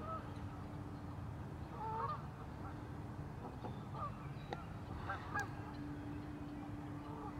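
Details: Geese at Warner Park Lagoon, Madison, Wisconsin, USA, giving scattered short nasal honks over a low steady background rumble, with several birds calling at once.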